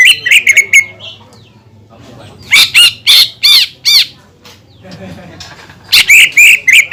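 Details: Provoking song of a greater green leafbird: a fast chattering opening, then several loud, harsh, arching notes spaced about half a second apart, closing with another burst of rapid chirps.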